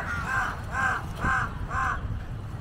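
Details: Jungle crows, part of a large flock gathered like vultures for scraps around an Asian water monitor eating a giant snakehead carcass, give four harsh, nasal caws evenly spaced about half a second apart over low background rumble.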